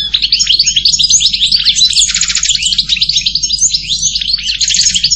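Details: Continuous goldfinch song, dense tinkling twitters running without a break, with a brief buzzy trill in the middle.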